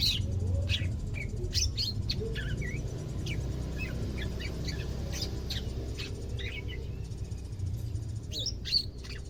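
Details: Caged greater green leafbird, second day of care and beginning to sing: busy series of sharp chirps, quick slurred whistles and clicks, loosely spaced, over constant low background rumble.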